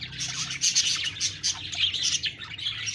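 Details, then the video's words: Many budgerigars chirping together in a busy, continuous wash of high twitters and scratchy warbles, loudness rising and falling in quick pulses. "Budgies Birds talking sound Birds chirping sounds"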